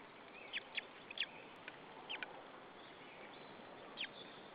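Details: On an Estonian white-tailed eagle nest at Saunja, 26 April 2013, 14:37, the chick begs before a feed with about seven sharp, falling peeps clustered early, then one more peep after a pause, over soft hiss.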